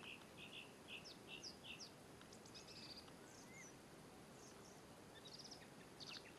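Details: European robin opening with a run of evenly spaced high chirps, then thin trilled and whistled phrases, one rising slur, and a final cluster of sharp notes; steady outdoor hiss throughout.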